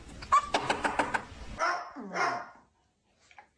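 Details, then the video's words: A pet parrot mimics a dog: a run of short, rapid barks, then two longer, speech-like yelping sounds, followed by quiet indoors. "Parrot impersonation show!"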